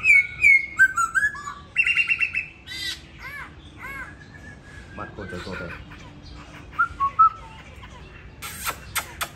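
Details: Laughingthrush in a cage in Hanoi, Vietnam, described as having a good voice and a talent for dancing: a fast opening series of loud whistles and chatters, then quieter varied notes, ending with sharp clicking sounds.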